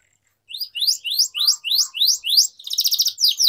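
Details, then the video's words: Canary song used to coax learning young birds, rising whistled notes repeated about three times a second, ending in a fast buzzy trill. "Canary Singing Training || Kenari Gacor Panjang Cuit Cuit Emosi, Pancingan Kenari Paud Belajar Bunyi"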